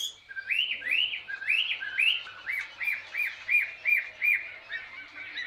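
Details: Chinese hwamei in ngũ trường style, wild-caught and caged for two years, blue-green plumage: loud arched whistled notes, several long slurs and then about ten short similar phrases repeated in quick succession.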